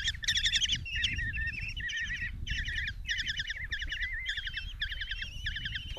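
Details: Begging of five Common kestrel young at a nest box in Tiszalök, Hungary, 27 June 2024, as the mother brings a mouse. A steady chorus of quavering, rapidly trilled notes in repeated bursts, overlapping throughout.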